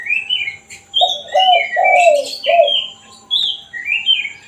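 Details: Spotted dove with the one-kuk (kuk satu) call used to lure wild doves: one phrase of four hollow, falling coos, with lively whistles and chirps of other small birds above.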